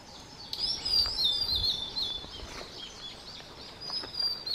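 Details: Blue-and-white flycatcher pair bringing caterpillars while chicks fledged, Shuhogahara, Kobe, Japan, 30 May 2020; bright high whistled phrase dropping in pitch in wavy steps, then a softer repeat, against a faint steady hum.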